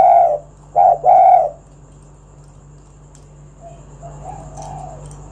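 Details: Spotted dove 'kuk 1' style coo, played as a lure to make other doves sing: three loud, deep, rounded coos in the first second and a half, followed by soft distant cooing over a low hum.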